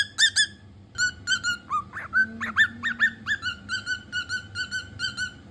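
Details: A cockatiel repeats bright slurred whistles in quick regular succession, with a faint low hum in the background.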